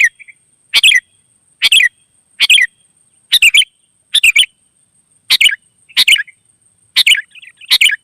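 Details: Wild sooty-headed bulbul singing energetically: short bubbly, chattering phrases of a few quick notes, repeated roughly every second with brief silent gaps, over a faint steady high-pitched whine.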